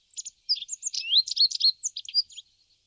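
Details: A Rock Bunting gives a quick, high jingling phrase of thin, varied notes, tumbling along for about two seconds against a quiet background, at a feeder in Crémenes, León, Spain, in March 2019.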